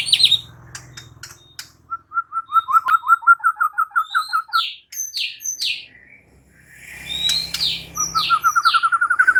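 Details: White-rumped shama answering another shama's song with energetic gacor singing. A long run of rapid, evenly repeated mid-pitched notes is followed by loud upslurred whistles, then another fast, rising note series over a faint low hum.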